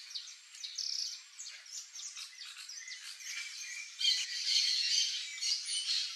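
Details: Calling variable oriole, Icterus pyrrhopterus, gives rapid, uneven chattering chirps, about two a second, that swell into a louder, busier, scratchy stretch in the last two seconds before easing off.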